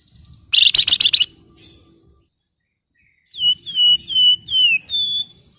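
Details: A female flamboyan calls a male: first a burst of harsh, buzzy ngebren chatter, then after a pause five clear whistles, each sliding downward, given in an even series.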